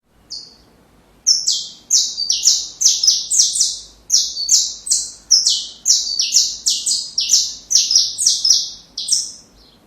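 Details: Saffron finch song, played for training young birds: a brief high note, a pause, then a dense run of buzzy notes that slide downward, about two per second, with short breaks between phrases.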